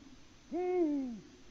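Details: Deep single hoot from a male Eurasian eagle-owl calling in vain for a female, recorded by a Latvian live camera at 18:06 on 6 March 2019; the low note rises slightly, holds, then drops off.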